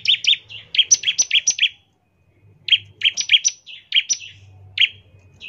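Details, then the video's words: A bar-winged prinia sings to draw other prinias into song: mixed whistled and buzzy notes in quick sequences of about a second, a pause, then more phrases over a faint low hum. "ciblek gacor, nembak NGEBREN untuk pancingan ciblek agar cepat bunyi"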